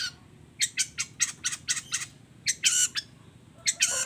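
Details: Long-tailed shrike combination song: a fast string of sharp, scratchy chattering notes, then louder hoarse, buzzy bursts, with faint background hiss.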